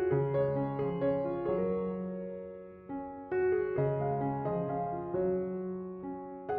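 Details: Gentle piano music plays throughout, with repeated chords and no animal calls.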